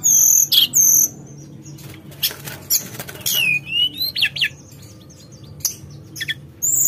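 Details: A Javan whistling thrush, called tledekan gunung, sings flute-like: two loud high whistled phrases open, followed by scattered falling slurs and clicks separated by quiet gaps.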